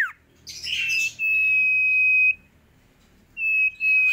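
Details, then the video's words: Caged sooty-headed bulbul giving a brief rough burst followed by a long, level, pure whistled note held over a second, then another steady whistle after a short pause. "Asyiknya mainan burung Sirtu Gacor"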